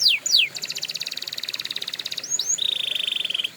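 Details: Canary training song: two swift falling whistles, a long rapid buzzy trill, two short rising notes, then a dense, even, lower rolling trill held to the end.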